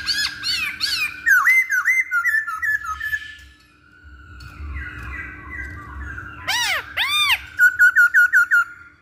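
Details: Masked laughingthrush, a recording used to lure other birds into singing: repeated clear whistled notes and bright looping squawks, with a rapid burst of short ringing whistles near the end over a steady low hum.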